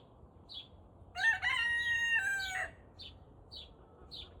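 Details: Turken cockerel just learning to crow at about 5 am: a rough, buzzy, even-pitched crow lasting about a second and a half that sags at the close, like a worn-out toy chicken. A few high chirps come before and after it.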